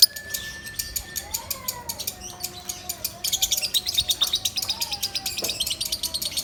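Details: Lovebird singing loudly, a recording used to teach other birds: dense, fast, high-pitched chattering chirps that grow louder halfway through, over faint sliding whistled tones.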